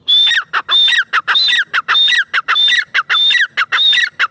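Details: Loud, steady series of partridge calls from a teetar: each phrase a high piercing whistle joined to lower scratchy notes, repeated evenly, about eight phrases in four seconds, with no other sounds.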